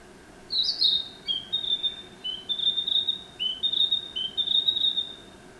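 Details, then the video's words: Narcissus flycatcher singing: a series of clear, high whistled phrases, each a short note stepping up into a sustained tone, repeated about every half second over a quiet background. "キビタキの鳴き声 (さえずり)"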